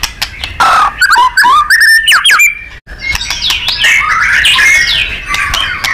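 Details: Powerful 'nembak' song of a white-rumped shama (murai batu), recorded as training material for contest birds: sharp chirps and rising whistles, then a rich warbling run of overlapping notes.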